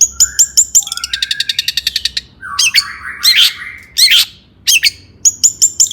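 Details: Agitated long-tailed shrike singing to provoke rival shrikes: quick high chirps give way to a rapid rattling trill, then long harsh downslurred squawks and scratchy bursts, ending in paired sharp chirps again.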